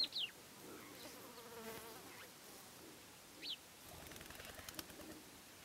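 See-see partridge giving two thin, high, downward-slurred whistled notes about three and a half seconds apart, with soft rustling and fluttering in between.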